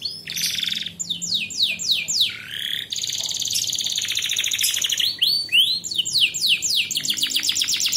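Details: Canary master song intended to teach young canaries quick, abundant singing for competitions: fast descending whistle strokes, a sweeping slur, a long even buzzy trill, then dense rapid runs of sharp downward notes.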